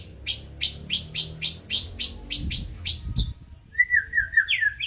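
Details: White-rumped shama of the Medan type singing a run of about eleven sharp, clicking notes at a quick even pace, then a short, varied whistled warble, over a low background rumble.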